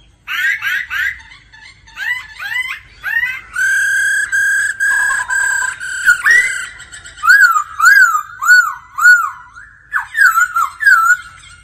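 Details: Laughingthrush practising its song daily alongside a female's 'ro ro' calls, giving rapid bursts of rich whistled notes, some steady and harmonic, others looping up and down in repeated slurred figures about once a second, with brief pauses between bursts.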